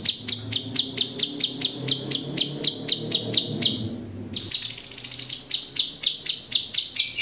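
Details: Orange-bellied Leafbird (cucak cungkok), a cage bird in 'tembakan' master song: quick repeated high chips for four seconds, a short pause, a buzzy trilled burst, then more spaced chips.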